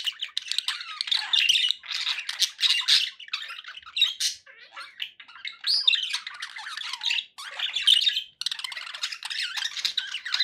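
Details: Budgerigars kept as pets, heard for relaxation with background noise: nonstop scratchy warbling chatter, harsh squawks and buzzy notes overlapping, with short pauses around the middle and near the end.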